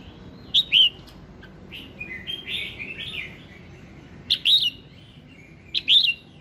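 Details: Red-whiskered bulbul morning song, used to prompt singing: clicked, whistled phrases that rise and fall, with a softer run of chattering warbles in the middle before two more loud bright phrases.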